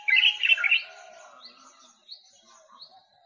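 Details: White-capped water redstart opening with a loud, harsh chattering burst lasting under a second, then a run of soft, thin high notes spaced out over the rest of the recording.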